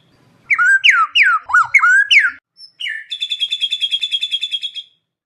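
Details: A white-rumped shama (murai batu) gives a steady lure song rich in 'isian' fill: a run of five or six loud swooping whistled notes, a brief pause, then a fast, evenly pulsed buzzy trill lasting about two seconds.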